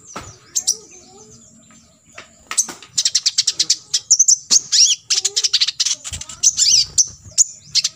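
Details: Olive-backed sunbird song in the 'full tembakan isian' style for teaching other birds: after a quiet start, dense bursts of high buzzy pulses run almost continuously, mixed with thin squeaks and a few soft lower notes.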